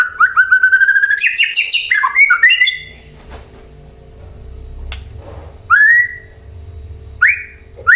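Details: White-rumped shama song intended to make other birds reply; a fast sequence of rich whistled notes for about three seconds, then after a pause separate single rising-falling whistles, with a low hum between.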